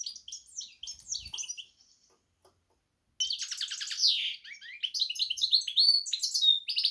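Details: Goldfinch x canary hybrid twitters in quick high notes, pauses over a second, then returns louder with buzzy trills and clear whistled slurs.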